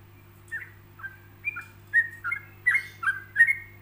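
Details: Yellow-vented bulbul in relaxed ropelan style, with pauses for imitating birds: soft spaced whistles at first that grow louder and closer together, the later notes ringing and slurred, with a steady low hum underneath.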